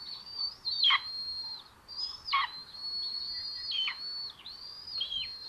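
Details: Begging from Common buzzard chicks sharing a meal in the nest, Tiszalök, Hungary, June 8, 2022: long, piercing, level whistles, each ending in a steep downward slur, given roughly five times with short gaps.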